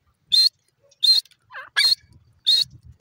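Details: Grey francolin calling: four harsh, rasping bursts repeated at roughly two-thirds of a second apart, with a softer lower note between the third and fourth bursts.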